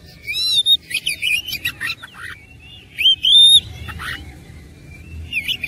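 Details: Oriental magpie-robin singing persistently in fighting mood, with a filler song of tumbling chirps, buzzy notes and a long rising whistle, followed by quieter thin notes.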